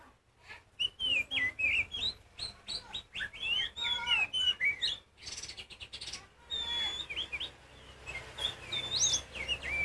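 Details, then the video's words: Oriental magpie-robin of the kacer poci type singing hard to goad other birds. Dense chattering phrases of whistled slurs and chips, a brief noisy rustle in the middle, then scattered high whistles. "Kacer Poci Nyusun Lagu ‼️Kacer Poci Diam Pun Auto Nyamber Bunyi Kencang"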